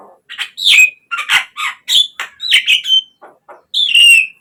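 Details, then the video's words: Javan myna song meant to spur caged birds into singing: loud harsh squawks mixed with slurred whistles, ending in a long buzzy descending note. "pancingan untuk naikanJALAK KEBO biar cepat GACOR."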